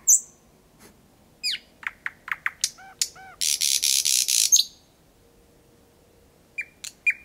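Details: Thrush nightingale singing very close at night in Kiili parish, Estonia, 8 May 2020, 01:23, roughly 4–5 metres off: high whistle, clipped notes, then a loud rattling burst of rapid broadband pulses, followed by quiet and two more notes.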